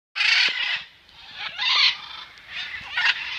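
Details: Rescued captive macaws playing and showering in the rain on a rainy day give loud, harsh, raspy squawks in broad bursts, roughly three outcries over a few seconds with quieter gaps between.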